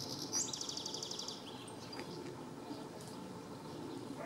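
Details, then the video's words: European goldfinch in Planina Gornja, Croatia, 4 July 2014, gives a fast, even trill of high tinkling notes for over a second, followed by a few scattered chirps against a soft outdoor noise. "Češljugar (Carduelis carduelis) (Birds of Croatia - Goldfinch)"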